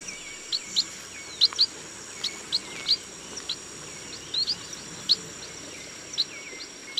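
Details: Chestnut munia calling in a rice field: thin, high, short peeping notes given singly or in quick pairs at irregular intervals over about seven seconds, above a steady high insect-like hiss.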